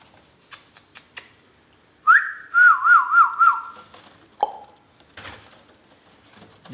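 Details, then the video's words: A ringneck parrot indoors whistles a clear rising note, then holds a wavering, warbling tone for about a second and a half, with soft clicks and taps before and after. "amazing ringneck talking sweet"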